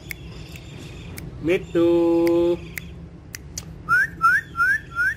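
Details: Pet parrots on a charpai, a woven cot, shown talking and dancing indoors. A steady held whistle with stacked overtones, then four quick rising chirps in a row, over a low room hum.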